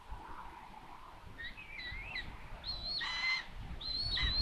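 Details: Common buzzard at a solar-powered live nest camera in Tiszalök, Hungary, on June 21, 2022, as the mother arrives with food to find the nest empty; thin, high mewing calls, some with wavering or falling tails, over steady rustling background noise.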